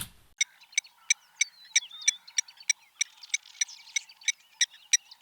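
Blacksmith lapwing giving sharp metallic 'tink' notes about three times a second, like a hammer striking an anvil, over faint chattering of other birds.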